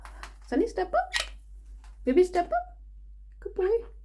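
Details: Pet monk parakeet, indoors, mimics speech in three short bursts of clipped, squeaky, word-like syllables while its owner repeatedly asks it to step up; no other clear sounds.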